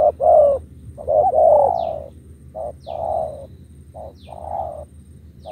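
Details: Spotted dove, a caged bird, cooing in the 'thúc gù' style: a run of short throaty coos each followed by a longer, fuller drawn coo, phrases close together, soft high chirps of other birds faintly audible.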